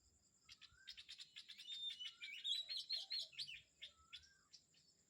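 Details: Kamphaeng Saen morning chorus: a dense stream of rapid, rhythmic chirps and twittering notes, with a few long downslurred whistles, all over a steady high-pitched background hum.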